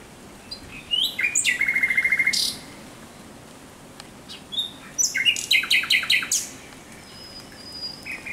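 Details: A thrush nightingale sings at night, 17 May 2023, with a fast, dry rattle of repeated notes, then a long pause and a second phrase of clicking, whistled elements ending in a thin high whistle.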